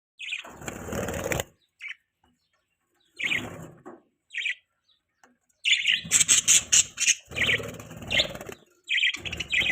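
Budgerigars chirping in bursts of busy, scratchy warbling and sharp high chirps, broken by short pauses, with fluttering wing sounds in between.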